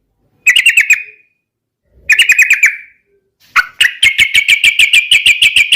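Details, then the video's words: Yellow-vented bulbul singing as a lure to draw other birds into song: two short bubbly warbled phrases, then a long run of rapid, evenly repeated bright notes. "SUARA trucukan gacor garuda pancingan trucukan agar cepat gacor"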